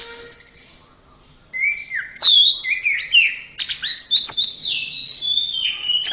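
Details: Orange-headed thrush song as a training recording for caged birds: after a quiet start, a flowing run of whistled glides, quick chips and warbled notes rising and falling in pitch.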